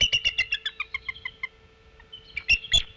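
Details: Female bald eagle warning and chittering from the nest at Decorah: a fast run of high thin notes stepping down in pitch, a brief pause, then two sharp squeaky peeps, with a low steady hum.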